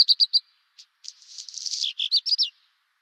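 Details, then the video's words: Redstart song phrase: several quick high notes repeated, a pause, then a scratchy jumbled warble ending in a few sharp descending twitters, clear and close with no background noise. "rouge queue"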